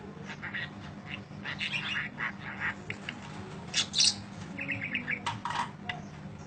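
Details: Training audio of budgerigar long chirping: scattered high squeaky chirps and short warbles, some sharp and bright, over low background talk and room noise.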